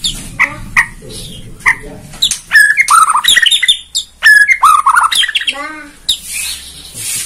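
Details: White-rumped shama (murai Borneo) song used to stir birds into singing: a few spaced chirps, then a rapid jumble of whistles, trills and harsh notes, fading into a breathy rasp at the close.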